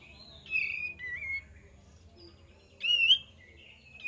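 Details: Kapas tembak lure song: two short bursts of clear whistled, slurred notes separated by a quiet gap, with faint low background noise.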